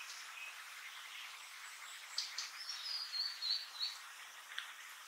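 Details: Blue-and-white flycatcher chick calling after leaving the nest: thin, high, short chirps, several clustered in the middle seconds, some sliding downward, over a steady hiss of background noise.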